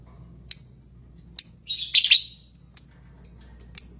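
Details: Lovebird singing: thin, sharp, high ticks with quick downward slides, repeated at uneven intervals, broken by a longer grating chatter in the middle; low hum in the background.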